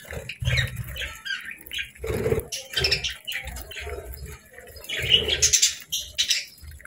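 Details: Happy budgies chirping in bursts: short scratchy chirps and twitters separated by pauses, with dull low thumps and knocks between the calls.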